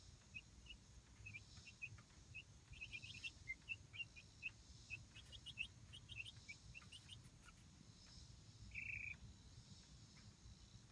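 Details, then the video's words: Light Brahma chicks, roughly a month old, being introduced to and enjoying their outdoor coop-run; many short high peeps scattered across the clip, some in quick clusters, over a steady low rumble of background noise. "Light Brahma Chicks Enjoying Outdoor Playtime"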